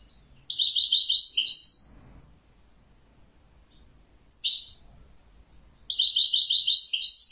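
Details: European goldfinch singing in bursts of bright, rapid twittering and tinkling notes, a long phrase of nearly one and a half seconds, a brief chirp, then another long twittering phrase after a pause; faint low background rumble.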